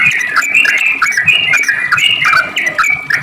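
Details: Short stretch of rapid sooty-headed bulbul 'ropel' song, used as bait so other bulbuls respond: loud, overlapping whistled and chirped notes in a busy stream.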